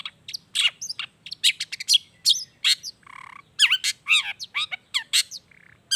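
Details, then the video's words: Lure recording of long-tailed shrike song to make shrikes sing: a dense, varied medley of sharp chirps, looping whistled notes and a brief buzzy rattle, delivered rapidly and continuously. "SUARA CENDET GACOR ISIAN ALAM || ANTI GAGAL efektif bikin cendet malaspun langsung ikutan bunyi"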